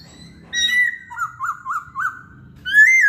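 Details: Masked laughingthrush song, used as a lure to prompt other songbirds to sing: a loud slurred whistle, then four quick rising-falling whistled notes in a row, ending on a strong upslurred whistle.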